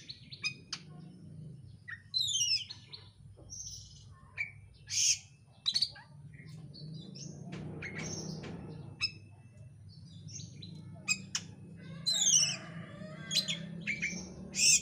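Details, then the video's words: Kacer, or oriental magpie-robin, lure song for provoking another bird to sing; scattered sharp chirps, downward sweeps and harsh bursts spread across the recording, with a broad rushing background noise swelling in the middle. "pancingan kacer gacor isian rapat cepat ngotot emosi"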